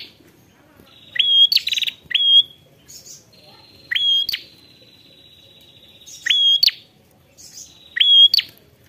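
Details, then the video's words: Calling to a rival, an ashy prinia repeats clipped rising whistles with brief trilled rattles, spaced about two seconds apart, softer buzzy reeling filling the gaps. "Prenjak prenjak memanggil lawan"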